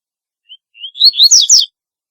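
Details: Double-collared seedeater delivering one distinctive phrase: an isolated high whistle followed by a tumbling series of slurred, upward-sweeping chirps that grow louder before stopping abruptly.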